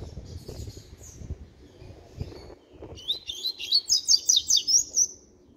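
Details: Starting to sing at six months old, a young double-collared seedeater runs a high, bright phrase of rapid rhythmic notes, about five per second, for two seconds. Softer thuds come before it.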